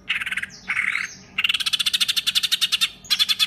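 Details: Caged songbird's harsh 'tembakan kasar' rapid-burst song style, used as master material for training contest songbirds in Indonesia: fast, coarse, buzzy notes pulsing in quick runs of about eight per second, with a brief slurred squawk near the start.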